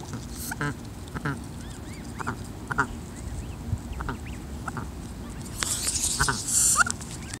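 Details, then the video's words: Goose mother guarding her goslings, hissing repeatedly while the young approach; thin rising peeps from the goslings recur every second or so, then a long harsh breathy hiss builds near the end over low background rumble. "Hissy goose mom keeps on hissing"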